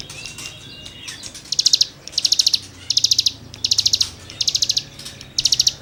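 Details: Cigun with full, energetic song used as tutor material for songbirds: short packets of quick, high, buzzy notes repeated roughly every half second to second, after a faint thin whistle at the start.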